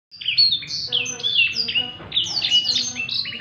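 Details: Blackthroat singing actively in the ngerek style, used for song tutoring: a busy stream of high whistled slurs and bright descending notes, tumbling quickly one after another with hardly a gap.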